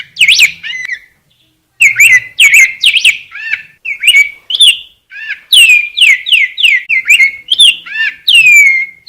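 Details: Song of a rose-breasted grosbeak: a short opening phrase, a pause, then a long flowing sequence of loud rounded whistles, many sliding downward, delivered close with no competing noise.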